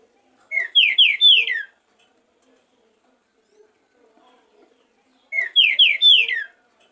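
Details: Green-winged saltator (trinca-ferro) in warm-up song training, giving two loud phrases of rich, falling whistles, each about a second long, about four seconds apart, with near silence between.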